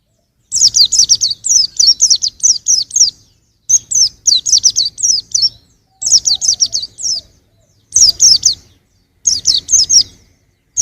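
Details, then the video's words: A young white-eye sings steady trains of fast, high, downward-sliding chirps in phrases lasting two to three seconds, separated by brief silences. "suara burung pleci masih muda"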